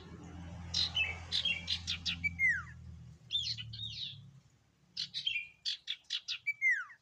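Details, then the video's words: Kept sirtu in full song: bursts of rapid chattering notes, each phrase ending in a bright downward whistle, repeated three times, with low background rumble early on. "Burung sirtu gacor Variasi Isian Siulan Paling Mewah!"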